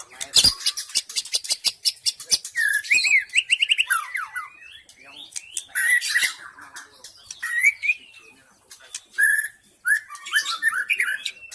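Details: Wild forest white-rumped shama song used as a lure to attract wild shamas: a dense, varied run of sharp chirps, rattles and high bright whistled phrases, with fast slurred notes and brief pauses.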